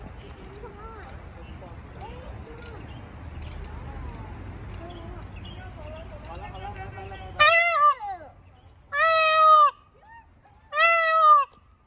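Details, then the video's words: Angry peacock: after several seconds of murmuring voices and low outdoor rumble, three loud, harsh, ringing calls, each about half a second long, follow about every second and a half. "Angry Peacock"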